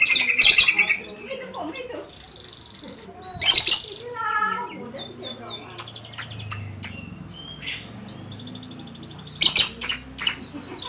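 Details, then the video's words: Lovebird singing: bursts of harsh, rapid rattling chatter mixed with high squeaky chirps and short twittering notes, separated by quieter gaps. Soft talking is heard in the background. "LOVE BIRD || ngekek 8 kilo meter"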